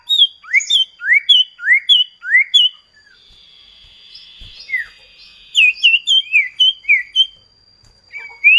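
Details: Common iora song in a duet lure recording for cage birds: bright rising whistled notes in rapid runs, then a pause with a steady buzzy tone, then a fresh burst of quick slurred whistles.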